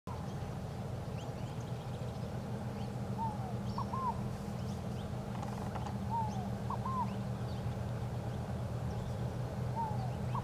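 Scaled Dove giving soft, hollow three-note phrases, a slurred note then two short ones, repeated about every three seconds over a steady low rumble.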